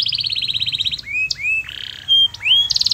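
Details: Lively canary song: a fast high trill, then separate upward-sliding whistles and a short harsh buzz, finishing with another quick trill.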